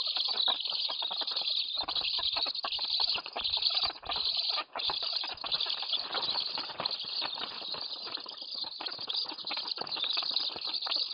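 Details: Black stork chicks begging at their nest in Lodz, Poland, as they are fed at 8:46 am on 29 July 2018. A live nest camera picks up a continuous harsh, rasping hiss with rapid uneven pulses.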